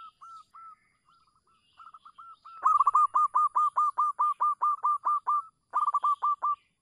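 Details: Local zebra dove giving a lure call for prompting mute doves to sing: faint scattered cooing notes at first, then a loud rapid string of clipped coos, a short gap, and another quick burst.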